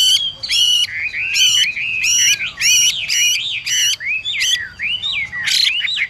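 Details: Caged Chinese hwamei pair: the female gives harsh, buzzy rasping bursts to stimulate the male to sing, and between them come clear whistled slurred notes that rise and fall. The rasps repeat irregularly, about eight in six seconds.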